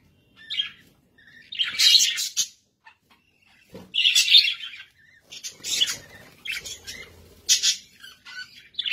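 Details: Kept budgerigars chatter loudly in harsh, buzzy warbled bursts lasting about a second each, separated by short silences.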